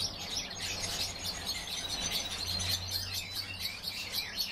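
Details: Many European bee-eaters calling at once: busy, high, purring chirps tumbling over each other in an unbroken chorus, with a soft low hum beneath.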